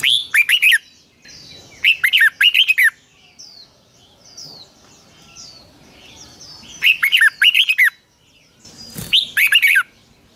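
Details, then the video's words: Red-whiskered bulbul morning song for bird training: short bursts of sharp whistled notes, with softer chirps from other birds between the bursts. "Luyện chào mào hót sáng 2020, Giọng kép xoắn dài Quá hay"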